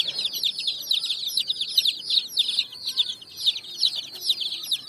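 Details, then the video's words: Colored chicks on sand in the evening, chirping clearly: loud, shrill, falling peeps, distinct and closely spaced, several birds overlapping in a steady stream. "Chicks Chirping"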